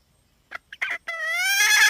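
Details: Hen: a few scattered short clucks, then one long, steadily rising and strengthening tonal call with rich harmonics.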